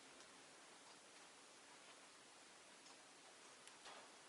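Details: Only a quiet, even hiss with a few soft ticks and rustles is heard, and no animal calls.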